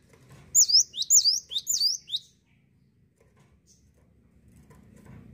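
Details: Cinereous tit in lively song, a single run of five bright, high, slurred whistles delivered rapidly, then silence with faint low room noise and a distant soft chirp.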